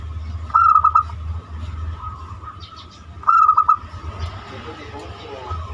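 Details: Banyumili zebra dove song used as a lure for other birds: a pair of quick tremulous coo bursts about three seconds apart over constant low rumble.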